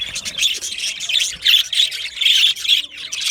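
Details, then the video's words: Loud close budgerigar chatter, bursts of shrill squeaky chirps and buzzy warbles in rapid pulses, several birds calling over each other. "Australian Budgie parrot chirping sounds | beautiful Budgie birds sounds"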